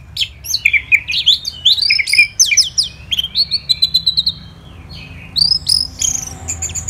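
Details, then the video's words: Orange-headed thrush in a morning recording from Kubutambahan, Singaraja, Bali, used to coax quiet birds into singing: a fast, varied run of bright whistles, slurred chirps and sharp high notes, a short pause, then more whistled phrases. "ANIS MERAH Gacor dan Teleran Suaranya Bikin Burung Yang Awalnya Malas Bunyi Ngedrop Bahkan Macet"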